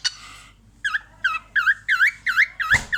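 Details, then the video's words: Cockatiel watching herself in a mirror, laughing with a steady series of looping, dipping whistled notes about three per second, opened by a harsh squawk and crossed near the end by a brief knock. "Cockatiel bird watch her in mirror and funny laugh"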